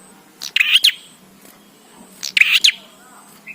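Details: Bar-winged prinia singing, used for training birds: two energetic bursts of harsh, twittering chirps about two seconds apart, each built of several quick notes, with a low hum underneath.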